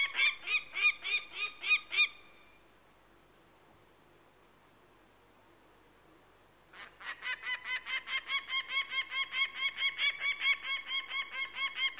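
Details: Falcon cackling in two bursts: a short run of harsh repeated notes, a pause of about four seconds of near silence, then a longer, quicker and louder series of grating notes.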